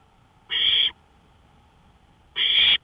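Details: Owl heard at night near a porch, 1:53 AM, 5 May 2013, giving two loud, hoarse hissing screeches under half a second long, spaced almost two seconds apart against a low, steady background hum.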